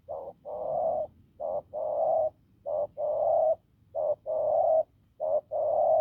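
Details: Spotted dove, a wild field bird with a hoarse, forceful coo: a clipped opening note followed by a long, drawn-out, throaty one, repeated about every 1.2 seconds.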